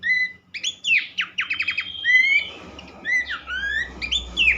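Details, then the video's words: Horsfield's babbler song, a sound meant to stir other babblers into song: clear whistles, a rapid run of falling notes, a long sliding whistle, then rising slurred phrases over a steady low background hum. "mesti ikutan gacor burung pelanduk semak lain dengan terapi andalan ini"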